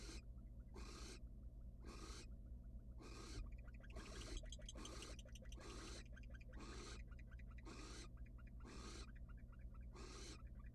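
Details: Barn owls, wild, at a monitored nest box where a male without prey is snubbed by the female: a long run of short harsh hissing bursts, nearly one per second, with busy clicking chatter between them.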